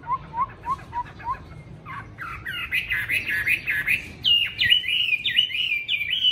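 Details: Tame caged Chinese hwamei kept as a fighting bird in Hanoi, Vietnam, on a very windy first cold day: five short rising whistles, then a loud, rapid run of varied warbled and slurred phrases climbing higher in pitch.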